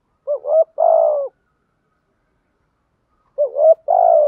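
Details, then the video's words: Spotted dove singing thúc gù style with a good voice: two identical phrases three seconds apart, each a wavering short coo then a longer vibrating coo, clean silence between. "chim cu gáy thúc gù bài bản giọng hay"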